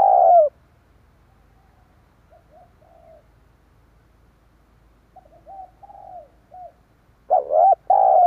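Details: Spotted dove cooing, used as a decoy call to draw in wild doves: a loud, throaty two-part coo opens the recording and another closes it, with soft, short coos in the quiet stretch between.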